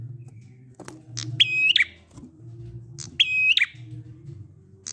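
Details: Prinia song, 'ngalun' style, used to make stuck prinias sing along: two phrases, each a click and a sustained level whistle finishing in a quick downward flick, above a steady low drone.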